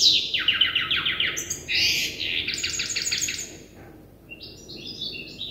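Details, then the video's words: Young goldfinch hybrid in the memorisation phase of its song, learned from an older hybrid: repeated buzzy descending strokes and a rasping phrase, trailing off into faint high chips. "تغريد هجين الحسون لازال في مرحلة الحفظ"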